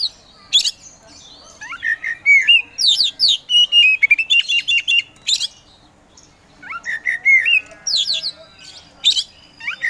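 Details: Kacer poci Oriental magpie-robin in full provoking song: bursts of sweet rising whistles mixed with dry buzzy chips and clicks, a quieter pause near the middle, then another rapid burst.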